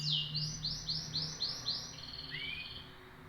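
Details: Canary song: a rapid series of high arched whistled notes repeated about four times a second, followed by a sustained trill and a short rising whistle, with a low hum underneath.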